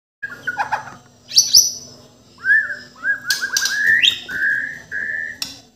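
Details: A white-rumped shama (murai batu, Borneo form) from Indonesia sings. Rich whistled phrases, buzzy high bursts and a run of rising slurred notes end in long clear whistles. A faint steady hum sits underneath.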